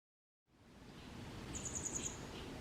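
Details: Grey wagtail singing on 22 May 2023 in Kotoura, Tottori Prefecture, Japan, recorded handheld on a Canon SX740HS camera: a quick run of about five thin, very high, evenly spaced notes over a steady rushing background.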